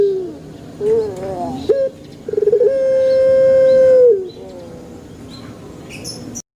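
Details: Puter pelung dove recorded in a banana garden, with wavering soft notes, a short upward note, a quick stuttered onset, then a sustained flat coo of about one and a half seconds.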